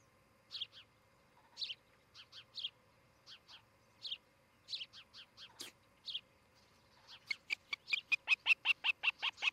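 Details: Osprey pair at a nest in Charlo, Montana, in July, giving thin high whistled chirps in pairs and groups, then a fast, regular run of sharp piping notes, with a faint steady hum.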